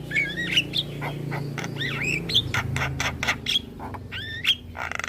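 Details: Javan myna, caged and singing energetically with head-bobbing, gives looping whistled notes that rise and fall, interspersed with clicks, above a steady low hum.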